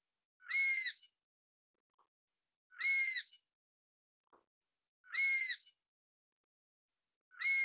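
A Chinese sparrowhawk gives a shrill, ringing note about every two and a half seconds, each with a faint thin lead-in, against otherwise quiet surroundings.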